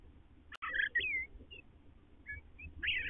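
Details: Male and female Eastern bluebirds communicating around their nest; a sharp click, then soft warbled and slurred notes, a few short isolated chirps, and a final burbling phrase over faint low background hum.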